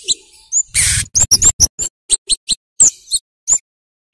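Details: Lively singing flowerpecker used as a lure recording to get young birds singing; sharp, very high chip notes in irregular bursts, with a loud rustling noise burst near the start.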